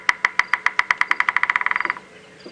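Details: Bearded woodpecker, apparently female, drumming at very close range as a territorial call on a sunrise safari drive, 7:30 AM, 4 May 2017, South Africa: about twenty sharp knocks over two seconds, speeding into a tight roll.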